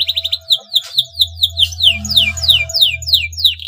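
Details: Male canary in breeding condition, singing to get rival canaries singing: a quick trill, then a long run of repeated falling whistled sweeps, over a steady low hum.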